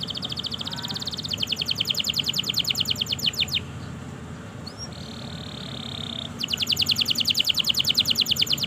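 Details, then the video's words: Singing canary, recorded as a master song to prompt silent and young canaries: long rolling trills of very fast repeated notes, a short pause with a brief whistle, then the rapid rattling trill resumes. "Masteran suara Burung Kenari Gacor Panjang Auto Nyaut Kenari Macet dan Paud"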